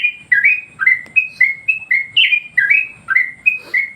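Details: Yellow-vented Bulbul singing a training master song meant to provoke other birds: clear, liquid whistled notes in short bursts about every third of a second, some dipping then rising, over a quiet low background hum.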